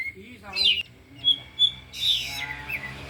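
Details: Afternoon training session of four caged oriental magpie-robins showing off mimicked phrases: a short scratchy burst, two clear high whistles, then a rich warbling run, with faint talk in the background.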